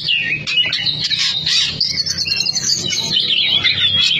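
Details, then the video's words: Caged Oriental magpie-robin (kacer), a former competition bird of a Cianjur team, singing a fast, loud, continuous run of varied whistles and chattering notes high in pitch, with faint low background hum. "SUARA KACER NGOTOT"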